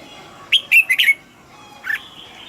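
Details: Red-whiskered bulbul, a caged bird, singing: a few short, loud, whistled and slightly squawky notes in a quick burst, then a single further note after a pause, over a steady low background hum.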